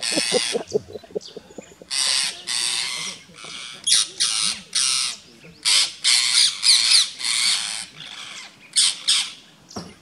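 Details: Rose-ringed parakeets mobbing a rat snake, nipping at its tail, Gir Forest, Gujarat, India, 3 April 2015: a rapid, irregular series of short, harsh screeches, over three per second. A human voice is heard at the start, with quiet talk beneath.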